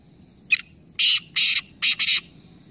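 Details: Black francolin calling in Nawabshah, Pakistan, three birds sounding together in a competition. A crisp introductory note precedes four loud, coarse, grating notes, the final pair nearly joined, above a low background rumble.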